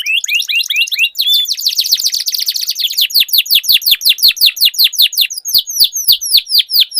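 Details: Duelling canaries: a quick series of rising notes, then a loud buzzy rolling trill, followed by steady, evenly spaced falling whistles repeated about three times a second.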